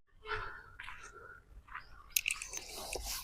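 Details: Indoor recording of crunching and chewing noises mixed with soft, murmured human speech and a burst of sharp clicks near the end, with no animal calls.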